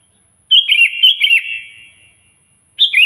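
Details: Actively singing sooty-headed bulbul calling a rival: a rapid string of cheerful bubbling whistled notes for about a second, a pause, then the start of another bright phrase.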